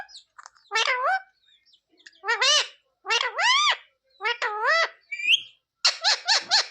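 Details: Parrot imitating speech, producing paired voice-like syllables with bending pitch in regular bursts, then a short whistle and a quick run of harsh notes at the end.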